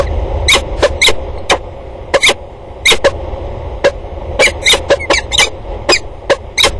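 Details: Peregrine falcons calling back and forth at a water tower on 2 October 2019, a series of short harsh clipped notes in loose clusters with brief pauses, low rumble underneath.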